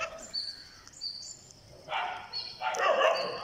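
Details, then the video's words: Green parakeet being fed on day 49, giving harsh, raspy begging bursts: a short one near the middle, then a longer, louder grating run at the end, over thin high whistles in the background. "GreenParakeet Feeding"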